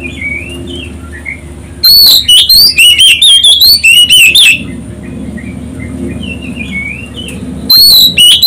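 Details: Oriental magpie-robin lure song meant to trigger a reply from other birds. A long, loud run of quick, sliding whistles, roughly two notes a second, sits between softer distant chirps, with a low droning hum throughout.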